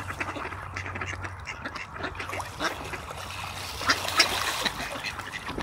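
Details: Ducks at play on a pond in Espoo, Finland. Scattered nasal quacks come over a constant trickle of water, and a couple of louder calls stand out near the end.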